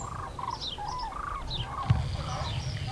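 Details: Flock of common cranes calling as they fly over the Eifel, Germany, 6 March 2018: several rolling, bugling notes overlap, with higher thin calls mixed in, and a dull low thump near the end.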